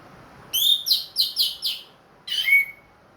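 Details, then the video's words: Orange-headed thrush kept in a cage, ringed and recently through moult, sings five rapid buzzy whistled notes, then after a pause one long slurred whistle falling in pitch; a loud, clear 'plong' delivery. "MERANGSANG ANIS MERAH BUNYI PLONG"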